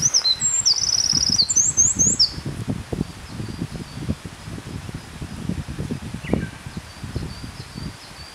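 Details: Eurasian wren singing a rapid high trill with twittering notes for about two seconds, then faint distant notes, against constant rushing background noise and low thumps.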